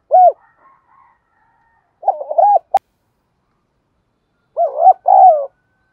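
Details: Spotted dove used as a decoy to provoke and train newly caught birds for fighting: loud, mellow hooting coos, a short burst at the start, a rapid broken phrase near two seconds, and a two-part coo near the end, with silence between.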